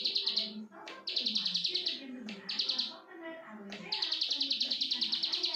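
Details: Plain prinia singing energetically: bursts of rapid, buzzy, evenly pulsed notes about three per second, broken by short gaps, with low murmuring sounds underneath.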